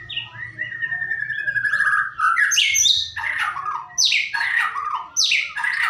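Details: White-rumped shama song used as a lure to get another shama to sing: a long descending whistle near the start, then loud bursts of rich, rapidly varied notes and sweeping phrases, with a low hum underneath.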